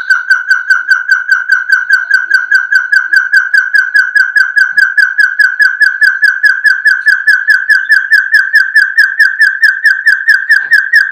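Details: Puyuh gonggong quail, named for its barking call, gives a steady run of short, clear whistled notes, about two or three each second, all at one mid pitch without pause.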